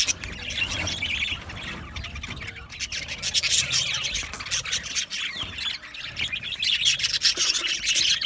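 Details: Budgerigar flock chatter, a continuous mix of squeaky chirps, brief whistles and scratchy warbling notes, growing fuller and louder toward the close.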